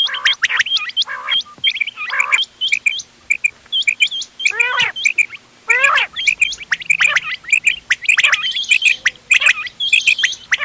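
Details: Quail of several local kinds (ghungay wal, doghla, changa) in a mixed hunting call recording dated 31 October 2025; dense high hooked chirps repeat rapidly, broken by a few deeper, rasping harmonic bursts.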